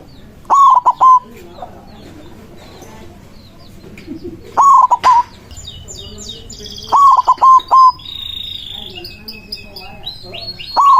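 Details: Loud song of a white zebra dove, played to call rival doves: four bursts of quick, stuttering coo notes every two to three seconds, with twittering small birds in the background.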